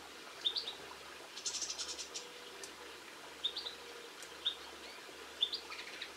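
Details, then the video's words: A common linnet, recorded on March 22, 2016, sings a light twittering song of short high chirps about once a second and a quick burst of dry, jangling notes, over a soft background hiss. "Linnet Birds - Video, Bird Song and Sounds"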